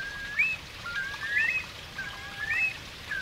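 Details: Curlews circling overhead give clear whistled calls that slide upward, three rising phrases about a second apart, over a soft steady hiss.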